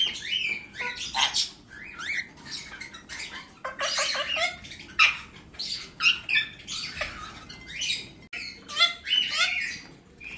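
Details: Pet cockatiels, two brother males kept with their young chicks in the sun, give a steady stream of rasping, scratchy squawks, short bursts repeated every half second or so, with a few thin upward-sweeping notes between them.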